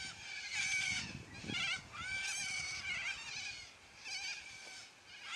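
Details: Noisy flock of yellow-crested cockatoos squawking loudly: a string of raspy, drawn-out screeches with wavering pitch, several birds calling in overlapping bursts over faint low noise.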